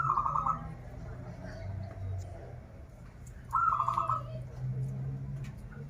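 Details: Local zebra dove from Banten, Indonesia, kept as a song bird: two rapid trilled coo phrases, one at the start and another near three and a half seconds, over low background rumble.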